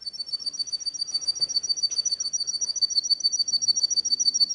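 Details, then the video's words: Canary song: a fast, even trill of high pulsed notes, about three to four per second, holding steady near one pitch throughout, with a faint low background hum. "تغريد الكناري صافي و احترافي جودة عالية-Chant Canari"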